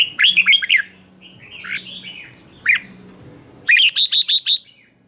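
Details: Caged red-whiskered bulbul used to train other birds' morning song, in the Vietnamese 'ché' contest style. Several bright, whistled phrases run in bursts. The closing phrase is a rapid run of five sharp repeated notes.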